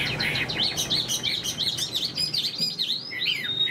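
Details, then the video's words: Chinese hwamei in moult, large and good-looking, pours out high, rich song: fast, varied whistled notes swooping up and down without pause, a few sharp piercing accents, steady low background hum. "Chim họa mi đang thay lông, bộ to đẹp, hót cao cầu"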